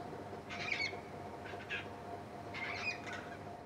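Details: Endangered pink cockatoos at a waterpoint producing repeated harsh, wavering squawks, three bursts within about three seconds, rough and broadband, over a constant background hum.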